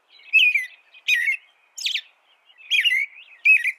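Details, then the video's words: American robin singing five short, warbled phrases about half a second apart, each a slurred whistled note with a sharp squeaky edge, separated by brief silences; no other sounds. "American Robin Bird Sound, Bird Song"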